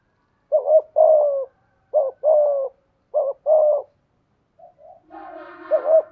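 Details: A spotted dove, a decoy bird with a 'thổ' style voice, repeats three two-part coos at a steady pace. After a few soft notes, a buzzy harmonic noise overlaps the final coo.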